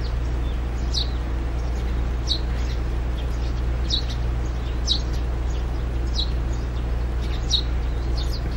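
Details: Eurasian tree sparrow, one of a pair building a nest in an old hanging birdhouse, carrying straw; short high chirps repeated roughly every second, over a steady low hum.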